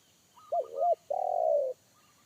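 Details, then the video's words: One phrase of a wild spotted dove's deep bass 'kuk satu' call in forest, heard by a trained decoy bird that shied away: two rounded, wavering coos, a short gap, then a long steady coo that falls slightly. "PIKAT AJARAN T4KUT MENDENGAR SUARA TEKUKUR INI‼️SUARA BESAR NGEBASS"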